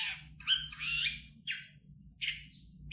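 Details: Long-tailed shrike, a prized champion singer, giving harsh, grating squawks and scratchy chattered phrases in uneven bursts with quiet gaps between them; faint low hum underneath.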